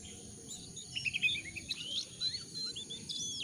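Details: Jongkangan voice meant as a lure to start freshly caught wild birds singing: bursts of sharp high chirps and short slurred whistles in uneven clusters, over constant background hiss.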